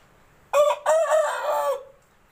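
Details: An Aseel rooster gives a single crow lasting about a second and a half: a short clipped opening note, a brief break, then a long, rich, harmonic drawn-out note that fades at the end, with a quiet background.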